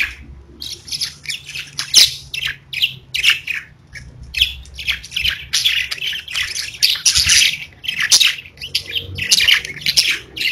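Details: Pet budgerigars (parakeets) chirping and singing indoors: dense, continuous warbling chatter of rapid high chirps and scratchy squawks, bursts coming in quick succession across the whole stretch with short pauses.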